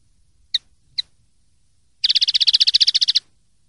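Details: Common linnet, 'limpio' clean song, 2023/2024: two short, separate ticking chips half a second apart, then a rapid, dense, buzzy trill of about twenty notes lasting just over a second. Quiet background otherwise.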